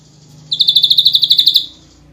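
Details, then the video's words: Champion ashy drongo in 'nembak rapat' form, firing a single dense burst of about fifteen rapid, evenly spaced high notes lasting just over a second. "Burung Srigunting Abu - Abu Gacor Nembak Rapat"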